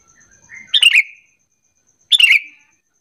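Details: Two sooty-headed bulbul lure phrases, bubbly falling chatters about one and a half seconds apart, intended to make other bulbuls call back; a soft lead-in note precedes the first.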